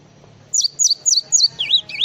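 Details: Java sparrow song in full-isian style: four high, twisting whistled phrases repeated about every quarter second, then a lower wavy warble, over faint background hum.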